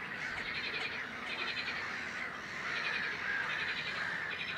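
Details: Nominate great crested grebe at Het Vinne wetland, Zoutleeuw, Belgium, May 2016, giving grating, stacked, barred calls in bursts about a second apart over a busy, unbroken background of other birds.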